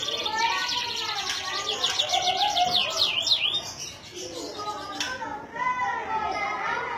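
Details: Canary in Indonesia giving a rapid trill of zigzag whistled notes in the first half, followed by quieter, lower warbles and a sharp click.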